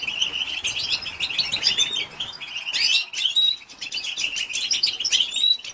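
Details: A female European goldfinch twitters to excite males: steady, high, jingling chirps, with a sharp burst at about three seconds and thin whistled upslurs later on.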